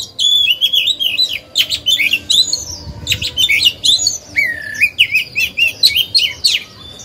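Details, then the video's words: A caged oriental magpie-robin sings to lure and excite other birds and tutor young birds, giving loud melodious warbled phrases with looping whistles, buzzy notes and sharp chirps, nearly continuous over several seconds. "Chòe than hót hay, luyện mồi, kích bổi, tập chim non"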